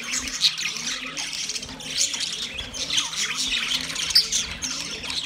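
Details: Budgerigars, Australian parrots, calling to another budgie: dense, continuous high chirping and warbling chatter with scratchy squawks, several birds overlapping throughout.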